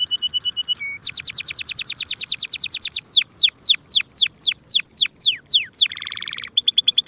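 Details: Canary song meant for young birds to learn before the coming season. After short trills and a single low whistle comes a long rapid trill, then sweeping downslurred notes about twice a second, a buzzy roll, then high trills.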